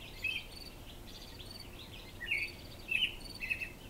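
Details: American robin singing at dawn before sunrise in spring, June 9, 2014, in darkness, with sparrows and roosters also singing: short, clear whistled phrases, several spaced notes over a faint steady hiss.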